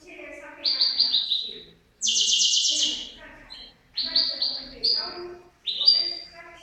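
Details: Pair of European goldfinches: short bursts of bright twittering and buzzy trills high in pitch, separated by brief pauses, with faint low background murmur.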